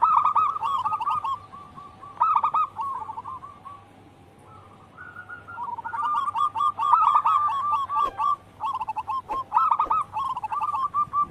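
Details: Vigorous local wild zebra doves serving as a song lure: bursts of quick cooing notes, a quiet spell of about two seconds, then long overlapping runs of rolling coos.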